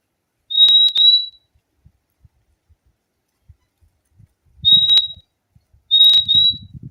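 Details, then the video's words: Fim-fim whistling a high level two-note phrase, then a single note and another doubled pair, with crisp clicks and low rustling noise near the end. "O LINDO SOM DO PÁSSARO FIMFIM"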